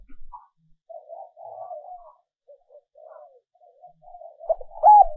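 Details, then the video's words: Female dove's lure call for attracting males, edited recording: quiet murmured coos through most of the clip, ending with a few louder, arched coo notes. "Tiếng Chim Cu Mái mp3 kích Trống"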